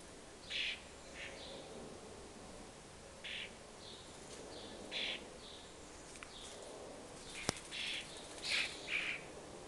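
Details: Juvenile common starlings beg while flying after their parents around a fat ball; the family nests somewhere four storeys up. Short, harsh, rasping bursts come at irregular intervals, several close pairs near the end, over a low steady background hum and one sharp click.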